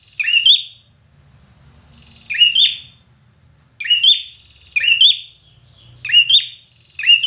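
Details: Red-whiskered bulbul singing hard for a contest: bold whistled phrases with sharp rising ends, coming at uneven intervals and crowding closer together toward the end, over a faint low hum.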